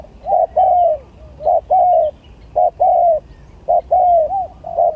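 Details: Spotted dove singing in a contest, gagap tindan against klantan: low hollow phrases that pair a short clipped coo with a longer gently falling one, repeated at an even pace, with light background birdsong.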